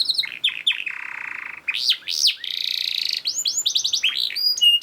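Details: Canary song in a fast, dense style, used as a master recording to train other canaries: quick rising-falling chirps, a sustained buzzy roll, then arched whistled notes and rapid trills.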